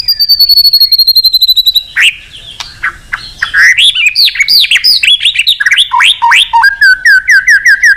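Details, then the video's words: Agitated, full-voiced white-rumped shama song used to prompt other birds to sing: a fast run of high repeated notes, then varied loud arching whistles and chirps, ending in a quick rhythmic series of short notes. "Suara Terapi Burung Murai Batu Gacor Emosi"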